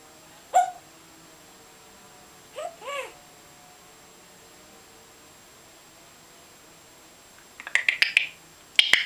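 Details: African grey parrot that imitates water sounds, noises, curses and talking: a short tonal note, then a looping, wavering double note, and near the end a run of harsh, clicking broadband bursts in a quiet indoor room.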